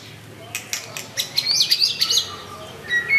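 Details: White-rumped shama with a curved tail, singing to call out a rival: a few sharp clicks, then a quick cluster of high, twisting whistled notes, ending in a brief clear whistle.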